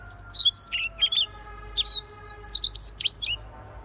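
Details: Energetic gacor song of a Siberian rubythroat, a dense stream of high twittering notes, rising and falling slurs and sharp chips delivered without pause, with faint low hum and tonal background lines.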